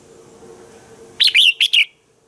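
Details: Red-whiskered bulbul singing in the morning as a training voice for other bulbuls: a single short phrase of four loud, bubbly whistled notes after a quiet start.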